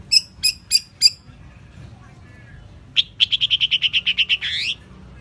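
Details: Long-tailed shrike, a champion bird, in a song-training recording: four short sharp high notes in quick succession, a pause, then a rapid even series of about a dozen clipped chips ending in a rising, drawn-out note.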